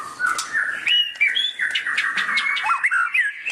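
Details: Tutor recording of a white-rumped shama's loud ngeriwik chatter: continuous slurred, warbling whistles in a middle register with brief rising and falling inflections.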